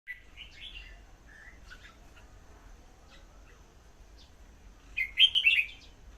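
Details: Red-whiskered bulbul song: short warbled, slurred phrases at the start, a soft note near one second, then a louder bubbling burst near the end, over a low rumbling background hum.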